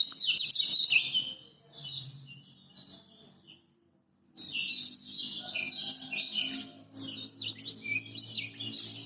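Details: Master song of a Lemon-bellied white-eye from Lombok, played to prompt reluctant birds to sing. Rapid high-pitched warbling bursts and chattering trills, a brief silent pause, then a longer, dense run of sweet, tumbling notes.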